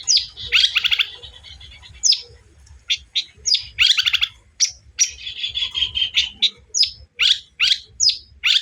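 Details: Long-tailed shrike song used as a lure to provoke and excite a rival bird: loud chattering bursts and sharp high chips repeated about two or three times a second, with a few longer harsh rattling phrases and short gaps.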